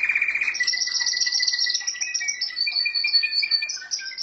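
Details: Pet canary song with a burst of rapid notes, then sustained high warbling tones that shift and waver in pitch.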